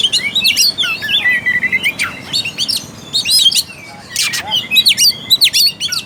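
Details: Oriental magpie-robin in vigorous song, used to lift the arousal and mood of a dull bird: quick bursts of varied high chirps and whistled slurs, with a short level buzzy phrase and a brief lull before renewed bursts.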